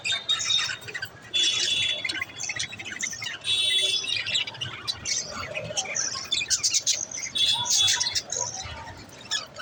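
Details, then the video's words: Several little budgies chirping together, a dense mix of high chattering warbles, squeaky notes and short whistled tones in bursts, with a faint low background hum. "Birds chirping sounds l little budgies"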